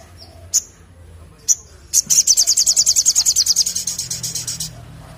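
Crimson Sunbird: two sharp, very high chips, then a fast, thin, metallic trill of about twenty notes lasting under three seconds. Faint background hum.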